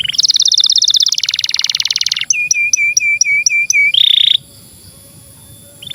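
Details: Canary singing, meant as a master song for young canaries and silent birds: a loud buzzing roll, then about six evenly spaced looped whistles and a short high trill before quiet.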